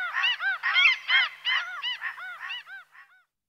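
Common Gull giving a rapid series of about nine high, nasal, squealing notes, arched and harmonic-rich, tailing off quieter at the end.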